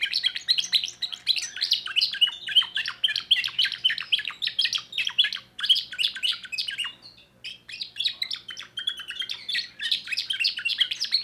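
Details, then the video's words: A young timbrado canary from 2024 sings its new repertoire in long dense bursts of fast chirps, rolling trills and warbles, with one short lull before the singing resumes at full strength. "le meilleur chant de canari I chant canari timbrado un jeune de2024"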